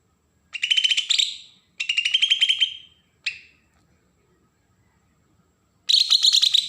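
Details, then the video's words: Agitated besetan song of a Bornean green leafbird from Berau, Kalimantan, used as a lure to stir up wild-caught birds: short rasping, crackling bursts of quick pulses separated by pauses, one clipped, then a loud burst at the end. "cucak ijo Kalimantan suara besetan pancingan burung bakalan"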